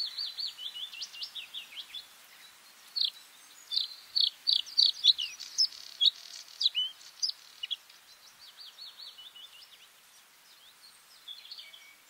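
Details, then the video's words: Bluethroat delivering a long, varied song of fast chattering notes, sharp high ticks and buzzy trills, loudest in the middle and fading to softer twittering at the end. "Bluethroat (Luscinia svecica) song"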